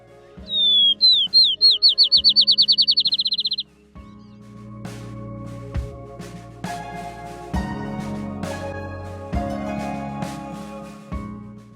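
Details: A Field Sparrow in the Crow River area, Minnesota, in June gives its accelerating song: clear, high whistled notes speeding into a quick trill like a bouncing ball, then music takes over.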